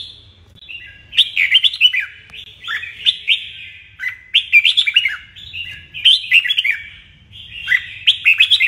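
Red-whiskered bulbul singing bright, bubbly whistled phrases, each about a second long, repeated every second or so at a steady clip; little else is heard.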